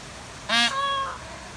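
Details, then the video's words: Female Indian peafowl calling: one loud, harsh, nasal honk with rich harmonics, then a softer, steady, drawn-out tone. The whole call lasts under a second against a quiet background. "Female peacock calls"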